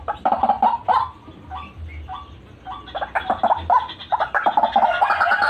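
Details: White-breasted waterhen calling for luring birds, gacoran style: short hoarse croaks spaced out, some brief higher upslurred notes, building into fast dense chattering toward the end.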